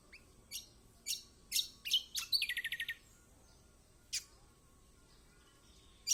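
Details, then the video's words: Kecial kombok song for drawing a lazy bird into song: several loud sharp chirps, a fast run of even high trill notes, then quiet with one or two more chirps. "Pancingan buat kecial kombok malas bunyi auto gacor!!"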